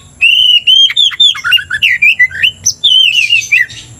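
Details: Oriental magpie-robin, singing to provoke another bird of its kind: a loud, continuous run of rich whistled notes, swooping up and down, some sweet and some scratchy, with no break for about four seconds.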